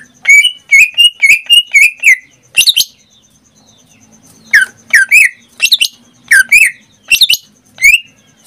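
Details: Pet greater green leafbird in Indonesia sings a quick string of whistled notes, pauses briefly, then gives louder rich slurred phrases with buzzy overtones.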